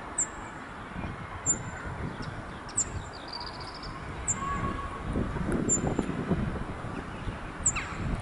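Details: At the Château de Saumur in France, on a somewhat windy day, a Cirl bunting gives six sharp, very high, brief calls at irregular intervals, alongside a faint steady whistle from another bird and low rumbling noise.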